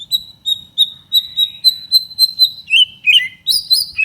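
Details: White-rumped shama song meant to stir other shamas into singing: a steady run of clear high whistled notes repeated about three times a second, breaking into rapid descending and rising chirps at the end.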